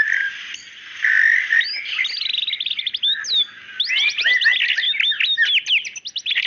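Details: White-rumped shama, female calling the male: a sustained buzzy, scratchy note gives way to a lively cascade of sharp sweeping whistles and rapid chirps.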